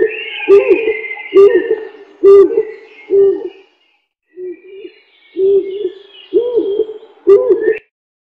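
A dove gives low, soft coos, about eight hollow notes in eight seconds in a slightly uneven rhythm, with a faint higher tone early on.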